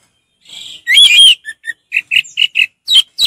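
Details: Orange-headed thrush, a kept songbird, singing calmly; a soft note, a loud slurred whistle, then a string of short whistled notes about every quarter second, ending with falling whistles.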